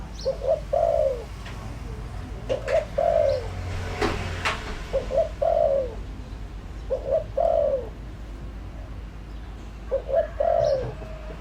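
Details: Lure spotted dove calling steadily, five cooing phrases each made of a couple of quick coos ending in a longer downward coo, spaced about two seconds apart, with a brief knock midway.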